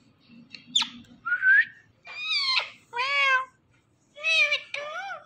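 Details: Talking Indian ringneck parakeet mimicking words: a sharp high squeak, a rising whistled note, then three rich, harmonic, speech-like phrases spaced about a second apart in a quiet room.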